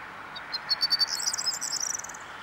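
A corn bunting gives a few dry, high ticks that speed up into a brief, scratchy jangle, over a steady background hiss.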